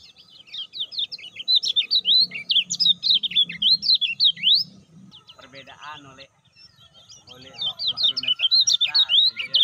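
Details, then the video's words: Lemon-bellied white-eye kept in a cage, its call played to stimulate birds that will not sing. Loud, dense, high zigzag chirps pour out for five seconds, give way to lower rasping sounds, then resume. "PANCINGAN MASTERAN - UNTUK KECIAL MACET - KECIAL BARU"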